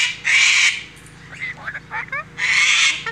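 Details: Sulphur-crested cockatoos at a backyard bird feeding in Canberra, Australia, filmed on a GoPro: two harsh, raspy broadband screeches open and close the recording, with brief thin whistled notes from other birds in between.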